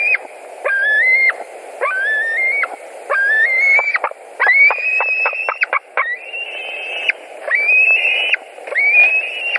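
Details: Evening at a white-tailed eagle nest in Latvia, 11 July 2020, one adult back for dinner; repeated long whistled calls rising then level, broken midway by a rapid burst of short clicking notes, before the whistles resume.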